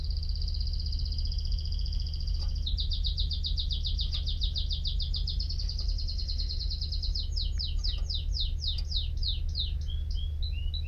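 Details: Canary song beginning with a long smooth high trill that turns into a pulsed rattle, then speeds into cascading downward swoops and short twittering notes.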